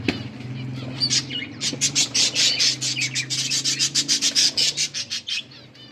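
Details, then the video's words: Several budgerigars enjoying winter rain give rapid chirps, a fast run of scratchy, pulsed notes repeated several times a second that build into steady chatter, with a low steady hum underneath. "Budgies chirping sounds"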